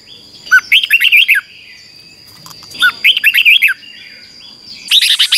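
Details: Singing red-whiskered bulbul, kept for song training and contests, giving short phrases of five or six quick looping whistles roughly every two seconds, over a constant thin high hum.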